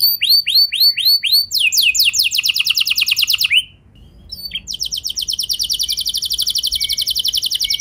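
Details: Canary song used to provoke other canaries: curved whistled notes, a dense trill ending in a short pause, then a long evenly pulsed buzzing roll.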